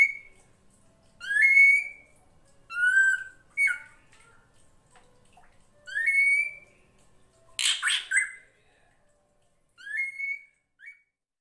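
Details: Drongo (srigunting krantil) master recording for songbird training, set against flowing water: upswept whistled notes with strong overtones, in short varied phrases with gaps, plus one brief noisy splash-like burst near the end.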